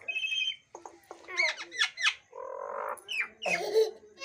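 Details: Kept myna, said to talk and make many sounds: a jumble of squawky syllables, speech-like harmonic phrases and short high whistles, all close and loud in a small space.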